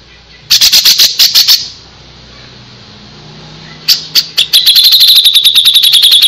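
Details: Grey-cheeked Bulbul in vigorous song for training birds: a harsh, rapid burst of notes, a quiet pause, then a steady stream of quick, evenly repeated high notes.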